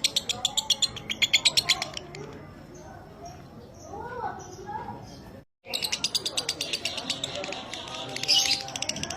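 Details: Pet lovebird used as a training recording, in the dry 'minor kering' singing style, giving fast runs of sharp, ticking chatter notes, a short break, then another rapid chattering burst with a few softer twittering notes underneath.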